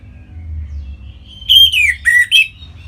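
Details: Song of an orange-headed thrush, northern Bali, used to get other birds singing: a soft whistle leading into loud, slurred descending whistled phrases with a harsher rasp, over low background hum.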